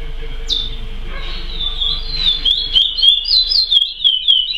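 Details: Praia-style song of a chestnut-bellied seed finch (curió): one sharp note, then a flowing series of wavering whistles that speed into rapid rising and falling notes, over a quiet hum.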